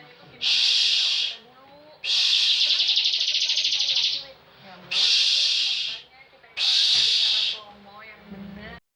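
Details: Bar-winged prinia, a frequent national competition winner, delivering four loud buzzy trilled bursts of 'ngebren' song, one notably long, separated by brief quieter gaps with faint whistles.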